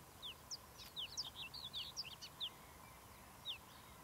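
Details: Marsh warbler singing at Academy Pools, Cleadon, on 6 June 2008: a fairly distant, quick run of thin, high chirps and slurred down-sweeping notes, then a pause and one last note, over a steady low hum and background hiss.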